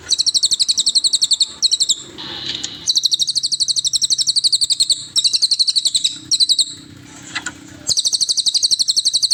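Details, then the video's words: Cililin singing, recorded as training material for songbirds: sequences of very high, rapid buzzy notes in quick even trills, broken by short pauses and brief hissy sweeps, with faint background noise. "MASTERAN 100%SUARA BURUNG CILILIN"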